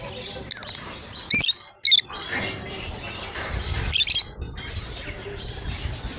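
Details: A pair of lovebirds playing together give short, sharp, high chirps in quick bursts, two close together then another after a pause, over a steady background hiss and low rumble.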